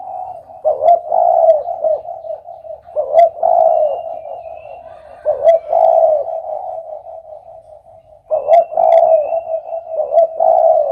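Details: Spotted dove cooing repeatedly: low, hollow, rolling coo phrases follow one another every few seconds, each with a louder stressed note and steady humming tones between.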